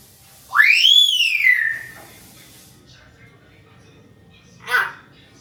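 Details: A pet talking hill myna gives one loud, clear whistle that sweeps up steeply and glides down over about a second, then after a pause a short, harsh, voice-like syllable.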